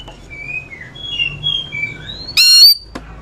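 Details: Oriental magpie-robins answering each other in song, meant to prompt reluctant birds to sing: soft, thin warbled whistles over a low background hum, then one loud, bright whistled note rising slightly, and a sharp click.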